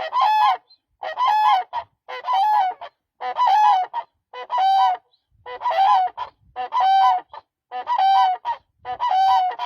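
Demoiselle crane giving loud, harsh, honking calls, about one per second in a steady, even series, with nothing else heard behind them.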